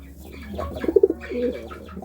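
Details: A courting pigeon gives a short, throbbing coo made of a few quick pulses, then a softer trailing note, over low background hum.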